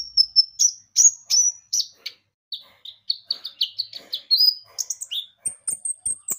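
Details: Javan white-eye song played as a lure to make birds sing: fast strings of high thin whistles and sweet chirps, some rising and falling, delivered in brisk irregular bursts with brief pauses.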